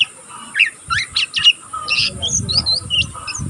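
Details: Young oriental magpie-robin, still learning, twittering nonstop in the ngeriwik style: clipped, scratchy high chirps and short buzzy notes over low thumping background noise.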